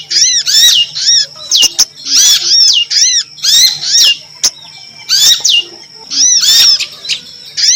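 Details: Female prinia (local name prinjak lumut) calling, used as a lure: harsh, nasal, down-slurred notes in short bursts, roughly one burst per second, with sharp clicking snaps between them.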